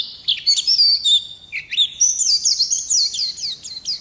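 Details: Oriental white-eye singing: a thin, sustained high whistle with a wavering note, a brief pause, then a quick run of sweet twittering slurs.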